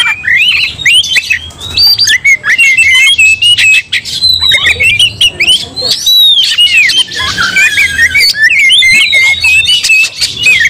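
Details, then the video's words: Aroused Oriental magpie-robin pouring out fighting song that stirs other magpie-robins to fury: long, loud medley of looping whistles, harsh scratchy chatter and clicks, with a few very short breaks. "Kacer langsung TARUNG bongkar emosi bikin kacer lain ikut dongkrak amarah kesurupan"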